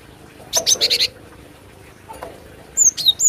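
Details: Cinereous tit used as a lure for trapping: a short burst of buzzy, rapidly repeated high notes, a pause with a faint click, then several high, thin, down-slurred whistles.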